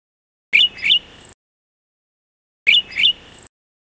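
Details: Golden-headed Cisticola (Cisticola exilis volitans) gives two short buzzy, scratchy phrases about two seconds apart, each ending in a thin, very high slurred note, with silence between.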